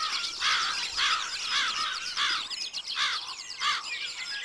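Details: Loud, separate bursts of harsh rising squeals from wood ducks, about two a second with short gaps between them, and fainter whistles continuing underneath.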